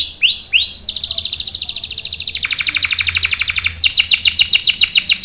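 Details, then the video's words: Canary with long rolling song for prompting and tutoring young birds: three upslurred whistles, a long buzzy roll dropping in pitch, then fast sweeping notes. "KENARI GACOR NGEROL panjang bagus untuk PANCINGAN dan MASTERAN paud | CANARY SINGING"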